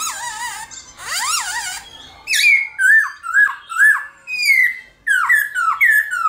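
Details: Black-throated laughingthrush in combative morning song to excite other laughingthrushes: grating harmonic calls open, followed by a brisk sequence of ringing whistled notes, each rising then falling, about two per second.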